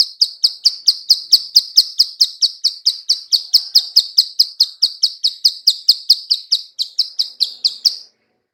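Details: Lure call of a female bar-winged prinia: a long steady run of crisp high clicks, roughly two to three per second, slowing slightly toward the end before stopping.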